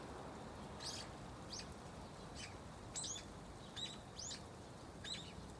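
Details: Perched within an osmanthus tree it has returned to for years between autumn and early spring, a lone old brown-eared bulbul utters gentle nestling-like chirps, short high squeaky notes spaced irregularly, some paired, against quiet ambient hiss.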